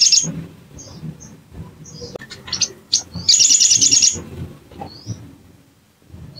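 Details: Bar-winged prinia used as an emotional lure to make birds sing: soft scattered high chirps, then a loud, rapid buzzy trill of about a second, followed by a few faint notes.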